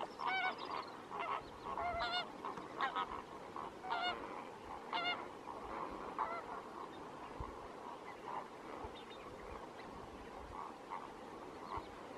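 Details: Lesser flamingos at their breeding ground on shallow Lake Natron, Tanzania, with some greater flamingos present; a dense colony chorus of nasal, honking calls with clear harmonic bands, overlapping constantly, with some louder calls standing out roughly every second.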